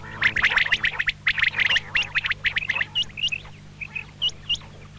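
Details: Female common quail (batair) giving quick, thin, clicking notes that come fast at first and then slow to separate short upward chirps, with a low hum throughout.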